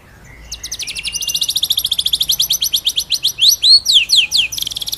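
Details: White-rumped shama in nonstop ngerol nembak masteran song: a long, fast rattle of high, bright notes about two per second that swells in loudness, then breaks into swooping whistled slurs.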